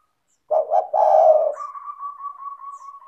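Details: Spotted dove, used to prompt doves that are slow to call: a single low husky coo of two short notes and a drawn-out note, followed at once by a long, even warbling trill from another bird.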